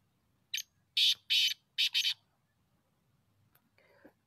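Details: Loud grating phrase of a black francolin, used for hunting: five rough buzzy syllables grouped as one, two and two, then quieter faint sounds trailing afterward.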